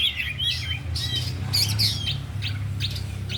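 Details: Afternoon training of four caged oriental magpie-robins: fluting whistles, twisting slurred notes and short chirps showcasing mimicked song, partly masked by a strong low rumbling hum.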